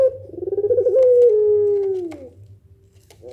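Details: Barbary dove (puter) of the pelung nangguk style, whose call makes other doves respond: one long rolling coo, wavering at the start and then drawn out into a smooth falling note lasting about two seconds, over a low steady hum.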